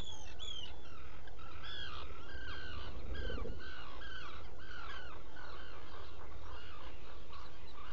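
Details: Black guillemot calls from a nesting burrow at Seal Island NWR, Maine, on a burrow cam around 1:46–2:46 am, 07-11-2018: thin, high whistled squeaks with a slight downward slur in quick overlapping bursts about twice a second, over a steady low rumble.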